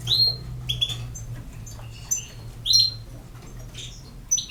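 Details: European goldfinch producing spaced, bright, high chirps and short liquid twitters against a steady low electrical hum.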